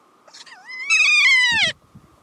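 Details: Wild kea at the top of the St Arnaud Range Track in Nelson Lakes National Park, New Zealand, giving a single drawn-out, wavering screech that rises then falls, followed by a person speaking briefly.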